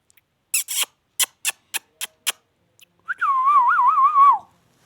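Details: Indian ringneck parakeet, a talking parrot, after a series of sharp clicks gives one long wavering whistle that rises, trills up and down and falls away.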